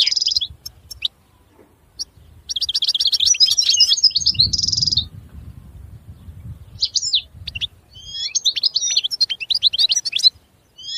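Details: European goldfinch with scattered high notes building into a fast buzzy twittering run, then separate sweeping call notes and short trilled phrases; a low rumble briefly underneath.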